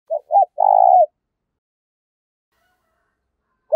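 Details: Spotted dove used as a decoy, giving a call that provokes fighting: two short clipped notes followed by a longer, steady, husky coo, then a long pause before the next phrase begins.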